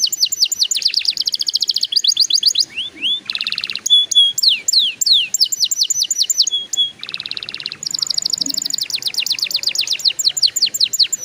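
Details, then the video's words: Long canary song passage to get young canaries singing: rapid high trills alternating with buzzy pulsed bursts, clear level whistles and fast rolling repeated notes. "PANCINGAN KENARI PAUD SUPAYA CEPAT BUNYI PALING AMPUH"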